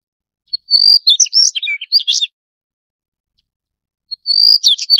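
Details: Daurian redstart (Phoenicurus auroreus). A bright sustained whistled note leads into a rapid scratchy chatter of varied chirps, lasting about one and a half seconds. A second phrase begins as the recording ends; otherwise quiet.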